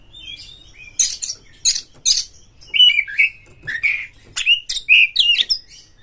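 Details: White-rumped shama singing quickly to rouse other shamas: repeated harsh rasping bursts followed by rising whistled slurs and bright warbled notes, delivered in rapid bursts.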